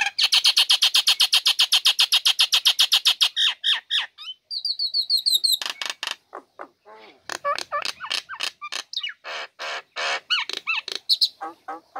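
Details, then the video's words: Female Nias hill myna singing in its cage after the cover is lifted, serving to lure lazy birds into song; a rapid even rattle of clicks for about three seconds, a bright buzzy whistle, then mixed clicks and short twisting whistles. "Jalak Nias Betina Buka Krodong Langsung Gacor Cocok Untuk Pancingan Burung Malas"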